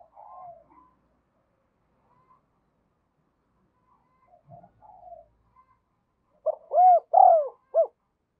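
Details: Spotted dove kept as a decoy, calling to draw wild birds in. After scattered faint notes, it gives one clear phrase of four low, arched coos near the end, the middle two longest, in otherwise quiet surroundings.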